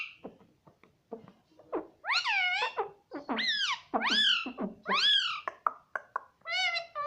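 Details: Pet ringneck parakeet talking indoors: soft clicks and mutters first, then four loud, squawky, rising-and-falling spoken syllables about a second apart, ending with a higher flatter word.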